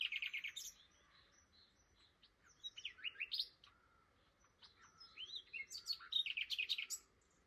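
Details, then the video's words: A Common Nightingale passing through on migration at Flowersbrook, Isle of Wight, in the morning sings varied phrases of rapid repeated chips and trills, rising whistles and harsh notes, with short pauses between bursts. "Very rude Nightingale woke me up this morning!"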